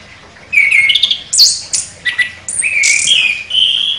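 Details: Sharp-singing champion orange-headed thrush: strong whistled notes, some sliding and some level and sustained, broken by high squeaky bursts, in a short continuous phrase.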